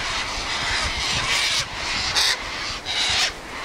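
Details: Sulphur-crested cockatoos at their usual gathering place on a windy day: continuous harsh, rasping squawks from several birds blending together, with wind rumble underneath.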